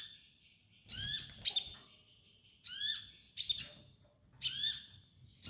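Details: Sunbird master song for training: paired bursts of rapid, high, downward-slurred chirps, each followed by a sharp ringing note, repeated roughly every one and a half seconds, faint low background hum.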